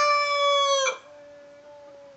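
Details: End of a domestic rooster's crow: a loud, buzzy, harmonic note holds for nearly a second, then breaks off abruptly, leaving a faint, steady, thin tone that fades out.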